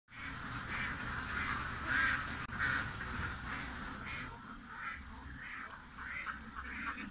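A duck gives a run of nasal, quacking calls, roughly one or two each second, over a steady low rumble.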